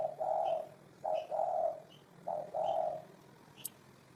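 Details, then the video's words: Spotted dove giving low, mellow coos in three short phrases, each a brief note followed by a longer hollow one, with faint high chirps from another bird between them. "Tổng hợp tiếng chim cu gáy hay năm 2018"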